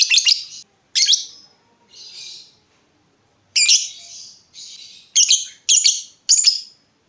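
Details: Lovebird, a lure recording to make other lovebirds respond; harsh buzzy squawks in short groups with brief silences between them.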